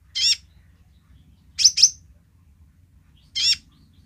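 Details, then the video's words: Sunbird (kolibri ninja) singing energetically in its basic voice gives sharp, high, sliding chirps: one note, a quick pair, then another, spaced about a second and a half apart over a faint low hum. "kolibri ninja gacor//suara dasar nya !"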